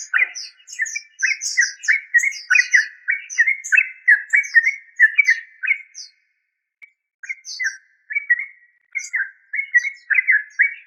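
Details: Lively, continuous bubbling from a yellow-vented bulbul (trucuk): rapid liquid notes strung into long chattering runs, a short gap, then more of the same.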